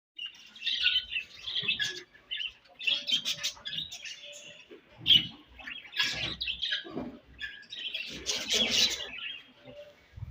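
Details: Budgerigars chirping while eating: busy warbling chatter of overlapping buzzy and whistled chirps, several birds at once, with soft low thuds and clicks between bursts.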